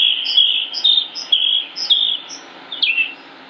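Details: Northern mockingbird from Concord, North Carolina, repeating a high whistled note paired with a sharper upper note about twice a second, closing with a descending slur.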